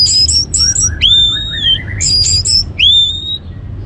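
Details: Orange-headed thrush, or anis merah, in lure song for prompting other birds to sing: bright high whistles in quick stuttered groups, each followed by a long sweeping whistle, with soft lower notes between, over faint hum.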